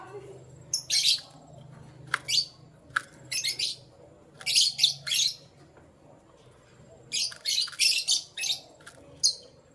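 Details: Canaries in the morning, giving bright, high chirps in short bursts with pauses in between. Several clustered bursts come near the start, then a denser run of sharp notes toward the end, over a faint low hum.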